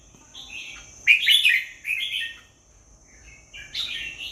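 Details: Red-whiskered bulbul singing short bright warbled phrases, a burst near the middle followed by a pause and a final rising phrase, over a steady thin high whine in the background.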